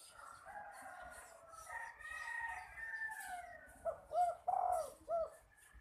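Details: A young spotted dove kept by a bird hobbyist, cooing in an unusual voice: four low, hollow coo notes close together near the end, after a drawn-out, crowing-like harmonic call in the background.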